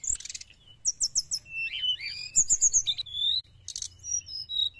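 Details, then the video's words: Lively sooty-headed bulbul song used to lure wild birds: trilled note series, swooping whistles and short chirp clusters follow one another quickly. "srdc gacor penarik burung bahan"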